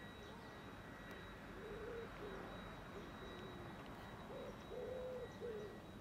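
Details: Common wood pigeon (Columba palumbus) at Žale cemetery, Ljubljana, on 5 March 2024, giving soft, low, muffled coos in two short bursts over a faint electrical whine.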